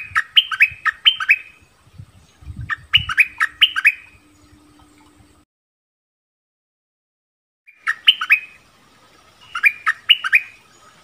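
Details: Orange-bellied flowerpecker song used to lure wild birds: clusters of three to four quick, descending chirps, repeated in bursts separated by long silent gaps, with faint low noise.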